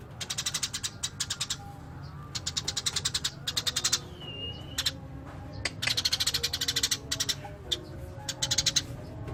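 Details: Eurasian tree sparrow, described as a natural master singer, giving bursts of rapid, harsh chattering chirps in dense repeated series, with brief pauses and a single thin whistled note between bursts; a low steady hum runs underneath.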